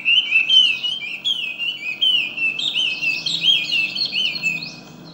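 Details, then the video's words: A Chinese hwamei singing in the wild gives a rich, fast run of clear, slurred whistles, rising and falling phrases tumbling together without pause; fainter chirps from other birds sit behind it. "Burung Wambi Di Alam Bebas"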